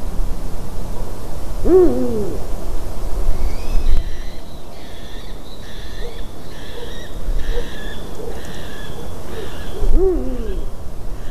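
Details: Eurasian eagle-owl occupying a white-tailed eagle's nest, 12 March 2019 at 18:26; two harsh, arched calls about eight seconds apart, with chirping, twittering small birds between them and low rumble throughout.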